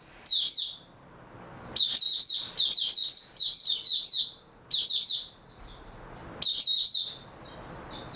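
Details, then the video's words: An oriental white-eye, recorded 03-03-2022 after sleeping well, repeats several bursts of fast, thin, high chirps and warbles, each lasting one to two seconds, in a quiet setting. "Mata Puteh Raja Video 2 buka sing tiong aw"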